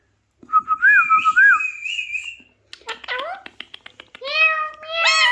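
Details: An Alexandrine parakeet imitates speech. A looping whistled tone with two upward bumps leads into scratchy clicks and sliding notes. Short nasal syllables that rise at the end follow, like a mimicked hello or meow.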